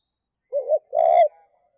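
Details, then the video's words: Spotted dove giving a two-part '2 cốt' style coo to call hens: a soft low hooting note, then a louder, longer burred coo with a brief trailing tail, over total silence. "Chim cu gáy 2 cốt và thúc lợi cốt kích bổi"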